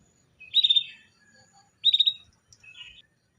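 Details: Female canary calling to prompt a male canary to sing: two bright, rapid trilled bursts a little over a second apart, followed by a softer, shorter trill near the end, in otherwise quiet surroundings.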